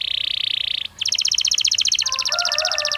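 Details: Belgian canary singing naturally, used as daily training stimulus for other canaries; a steady buzzy trill, a brief pause, then rapid, evenly repeated high chips, with lower whistled notes added near the end.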